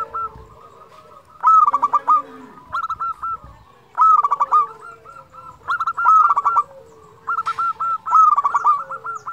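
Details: A local zebra dove sings actively, used to stir other doves to sing: ringing phrases made of a quick rattled cluster of notes, then a tail of evenly spaced short coos, repeated roughly every two seconds.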